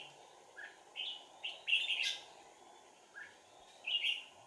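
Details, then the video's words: Caged red-whiskered bulbul used as a trapping decoy on 4 April 2019, giving a few spaced, clear warbled notes and a brief louder flourish, separated by pauses, over constant low hum. "Bẫy chào mào Sàng cầu - đánh đuôi"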